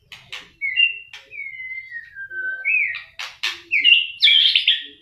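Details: A white-rumped shama in fighting form, tail flicking strongly, sings sweet drawn-out whistles that glide downward, with clicks between them, then ends in a louder, tumbling warbled burst.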